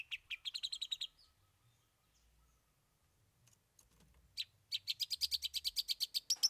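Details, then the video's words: Long-tailed shrike performing a song with three learned fill-in songs: bursts of rapid, high chattering notes repeated about twice a second, a quiet pause, then a longer run of sharp, even chirps. "Cendet Bongkar 3 Isian"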